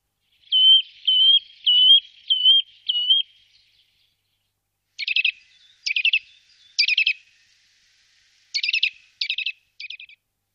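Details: Eurasian nuthatch in the Wittlicher Tal, 2018: five clear, slurred whistles in an even series, then a pause and clusters of rough, buzzy, stacked call notes.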